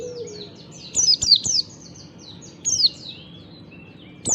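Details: Oriental white-eye, kecial type, singing ngalas in the morning as a lure for other white-eyes: two quick bursts of thin, high, downward-sweeping tweets, trailing off into soft high whistles.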